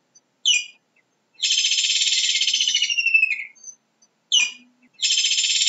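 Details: Kingfisher calling: a sharp, high downslurred note, then a long, rapid, buzzy pulsed trill lasting about two seconds that ends with a falling slur, another sharp note, and a fresh trill starting; clean background, no other sounds.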